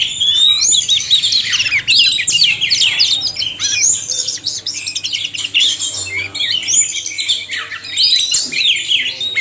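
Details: Oriental magpie-robin pair, male and female, in a recording made to rouse caged birds into singing; a long rich medley of piercing whistles, scratchy chatter and quick rising sweeps with short gaps, plus a soft mechanical hum.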